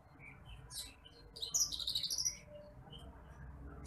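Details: Bush lark (branjangan apung, titimplik) recorded as masteran for tutoring cage birds: faint scattered high chirps, then a loud rapid burst of thin, buzzy, trilled notes mid-clip, fading to quiet background.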